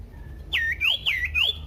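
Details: Three loud swooping whistles from a Common iora, each dipping then rising, with a falling lower tone under each, used to lure other ioras into singing.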